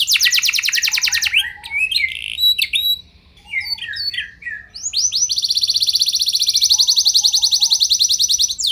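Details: A canary sings a lure song to make other canaries respond: rapid trill, a scattered section of varied chirps and short notes, then a long, steady, buzzy fast trill.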